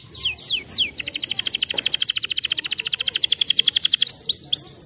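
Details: Canary singing, meant to stimulate other canaries: sweeping downslurred whistles open into a long, fast, even trill of repeated notes, about four per second or faster, ending in more swooping slurs.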